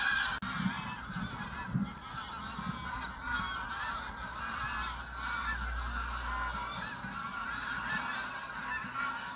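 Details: Mixed flock of Canada, White-fronted, Pink-footed, Brent and Greylag geese lifting off at sunrise from wetland marshes near Burnham Norton, Norfolk, 10 September 2022; unbroken wall of overlapping honks with a deep rumbling background, recorded by phone.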